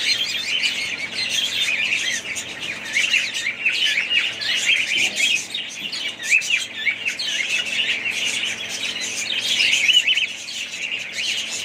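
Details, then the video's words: A family group of budgerigars kept as pets, chattering together in a dense, continuous stream of high warbling chirps and short squeaky notes that overlap without pause and swell louder toward the end. "ali family budgies parrots"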